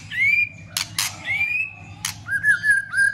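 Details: White-rumped shama singing its fighting song with tail-flicking and continuous clicks to stir other shamas; clear whistled phrases, each rising then level, broken by sharp loud clicks and a faint steady hum beneath.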